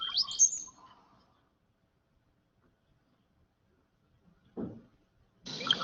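Brown-headed Cowbird gives a quick liquid gurgle sliding into a thin, very high whistle, under a second long, followed by quiet, a dull knock and a burst of hiss.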